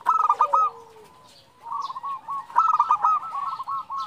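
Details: Calling female zebra dove seeking the male, used to lure other doves: two bursts of rapid stuttering coos, each trailing into bouncing softer notes, with a brief low note after the first burst.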